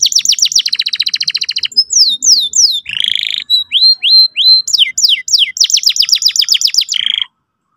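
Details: Canary singing a lure for a young canary learning song: a fast trill of repeated notes, then a series of downslurred whistles, a buzzy burst, rising chirps and further rapid trills, varied and loud.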